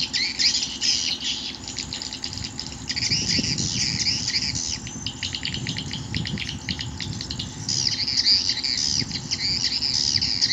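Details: Swiftlets called toward a nesting house by a lure recording: continuous shrill twittering, with quick chirps packed in surging bursts, over a constant low rumbling hum.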